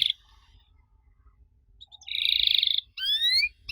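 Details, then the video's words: Canary singing an odd song meant to draw replies from young canaries: a brief note, a long pause, then a dense buzzy rattling trill of nearly a second, followed by two clear rising whistled sweeps. "Kenari Muda pasti nyaut kalo denger suara aneh kenari ini"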